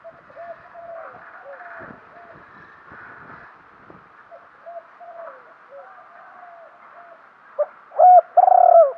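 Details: Spotted dove used as a lure bird, calling to draw in wild birds: quiet, scattered low coos for most of the time, then a loud, full coo phrase near the end.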